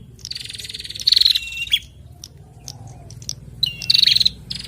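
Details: Bar-winged prinia male and female call back and forth in two buzzy trilled phrases, each ending in a short downslurred whistle, with quiet pauses between them.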